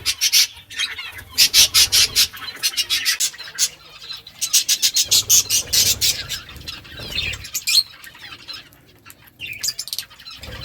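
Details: Pet budgies eating green food: rapid runs of short, clicky, rasping pulses alternate with high squeaky chirps and warbles, several birds calling together with occasional fluttering.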